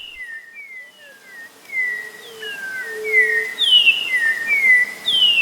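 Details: Orange-backed troupial (Icterus croconotus) of Brazilian tropical woodland and forest edge singing a fast run of clear whistled notes, mostly slurring downward, with brighter flute-like phrases building toward the end.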